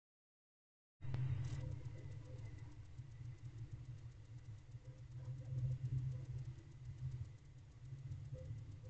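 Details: After a second of silence, a steady low engine-like rumble with a faint hiss runs to the end, and no animal calls can be heard.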